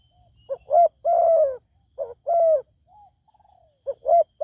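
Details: Zebra dove faced with a good-singing wild bird that declines to come down: mellow stuttered coos and drawn hums, with a quieter falling rattle-like trill from another bird mid-clip.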